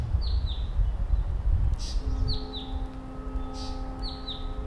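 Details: Blue-capped rock thrush giving paired, downslurred high whistles at steady intervals. Brief noisy rushes fall between them, heavy low rumble sits underneath, and a steady humming tone starts halfway through.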